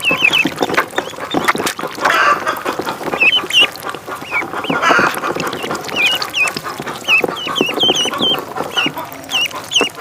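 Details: Thin, high peeps from a duckling on a pond, coming in irregular pairs and short strings throughout, against splashy, crackling background sound.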